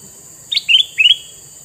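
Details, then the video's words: A male sooty-headed bulbul with red eyes sings a brief phrase: a sharp opening note followed by two quick slurred, rising double notes, with faint steady hiss behind. "Burung kutilang mas jantan mata merah"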